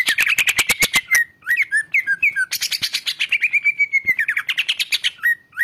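Greater green leafbird in a fast, varied song: a burst of dry rapid chips, then sweet chirps and clear whistles sliding down, phrases changing every second.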